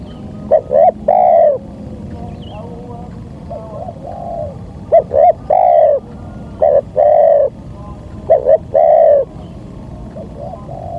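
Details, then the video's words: Local spotted dove luring call played to tempt wild doves down: a repeated phrase of quick short coos ending in a longer mellow coo, given four times over about eleven seconds, with steady background hiss. "Pancingan suara tekukur"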